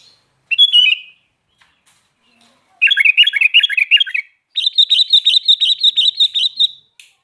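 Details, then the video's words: Sooty-headed bulbul singing energetically: one whistled phrase, then a rapid chattering warble, then a long fast series of evenly repeated high chipping notes lasting about two seconds. "Burung Kutilang Garuda Gacor"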